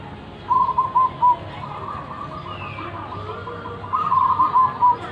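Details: Local zebra dove with a loud voice: two beaded cooing phrases roughly three seconds apart, each a fast stutter of notes finishing in a ringing hoot, with a softer rolling trill between and one faint whistle from another bird.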